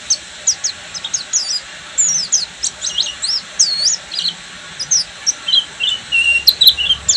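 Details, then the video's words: Oriental white-eye, Buxtomi type, giving ngeriwik song: jumbled high twittering and looping slurred notes, with a lower run of short chips toward the end, over constant hiss. "SUARA BURUNG‼️PLECI BUXTOMI FULL NGERIWIK"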